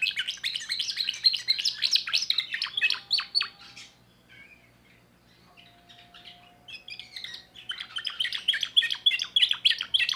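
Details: Timbrado canary, a young bird of 2024, sings fast bursts of sharp, high notes, breaks off into soft thin whistles and a quiet pause, then resumes the rapid rolling song.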